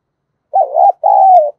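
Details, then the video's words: Spotted dove used as a decoy for wild birds, giving one two-part coo: a wavering, undulating first note, a short gap, then a sustained, gently falling second note. "Chim Cu Mồi/ cu gay kich boi nhanh noi gù hiệu quả, kích rất nhạy, bổi nghe là gáy"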